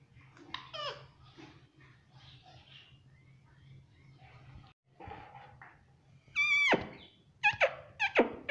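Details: Indian ringneck parakeet kept as a pet and said to talk, saying words such as mummy and papa; soft, murmured speech-like sounds, then a loud, harmonic, descending squawk and a few sharp, ringing notes near the end.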